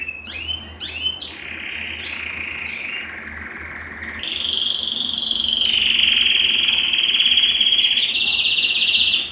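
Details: Belgian canary singing to warm up males and bring females into breeding condition: short rising notes open, then a long rolling trill that steps up in pitch and runs steadily to the end.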